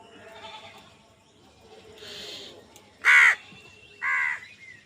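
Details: Harsh, loud caws from a crow squabbling over food, two of them about a second apart, the first stronger, with softer bird chirps and hum in the background.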